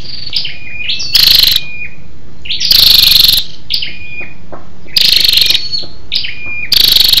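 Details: Lure call from a female scarlet-backed flowerpecker, used to excite males: repeated harsh pulsing bursts alternating with sharp high chirps that fall into steady whistled tones.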